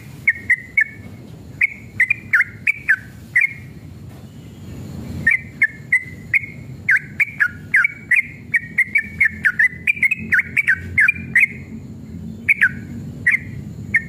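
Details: A male Yellow-vented bulbul sings an agitated, fighting long run, used as a lure to make other bulbuls sing: bubbly, liquid whistled phrases of quick rising and falling notes over faint clicks and low background hum.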